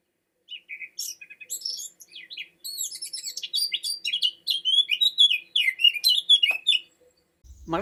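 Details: Eurasian Blackcap singing: a long, hurried warble of bright, varied high notes building in loudness, ending in a clear, strong final flourish, followed by a brief low sound.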